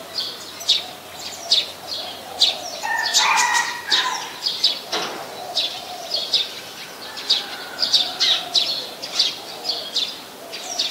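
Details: Brown-throated sunbird in Ubon Ratchathani, Thailand, 13 January 2021, recorded on a Nikon P1000. Sharp high tweets come in a steady series, with a brief lower warbling burst around the third second and a faint steady hum.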